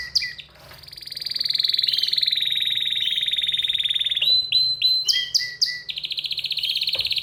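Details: {'text': 'Excited canary delivering a long sustained rapid trill, then clipped whistled notes jumping between pitches, closing with another fast rolling trill; low background hum.'}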